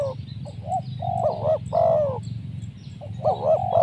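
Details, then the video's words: Spotted dove voice used to lure wild doves: short soft notes leading into a long level coo and a loud downward-slurred coo, then bouncing notes again, over a low hum. "Mikat tekukur,, sibanggo Poin suara mersik"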